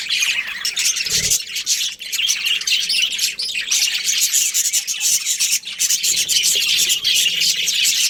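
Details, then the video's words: Continuous bright chirping and warbling chatter from a breeding pair of budgerigars, fast and overlapping, with a single dull low bump early on. "Budgies Chirping Sounds"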